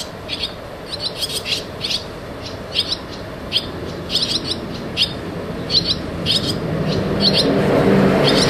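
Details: Barn swallow chicks moving in and out of their nest call in quick, repeated high chirps, about three or four a second, while traffic noise swells toward the end.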